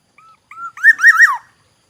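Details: Black-naped oriole from Aceh, Indonesia, a forest oriole: a soft short whistle, a rising fluty note, then a loud liquid wavering whistled phrase with a falling end, lasting about one second, in silence.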